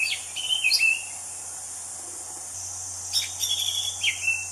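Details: An orange-headed thrush singing in the wild gives a warbled phrase of rising and falling whistles. After a short gap it adds a second phrase ending in drawn-out slurs, over constant insect hiss.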